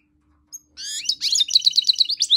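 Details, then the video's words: Song of a tame goldfinch mule opening with one brief chip, then a harmonic whistled phrase leading into a rapid series of evenly spaced high twittering notes, about eight in a row, in a quiet setting. "Tame goldfinch mule"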